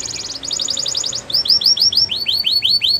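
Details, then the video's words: Canary song for training canaries to sing: rapid pulsed chirps followed by evenly spaced rising-falling whistled notes about five per second, over a noticeable background hiss and noise. "Canary Singing Training | Belgian Canary Song"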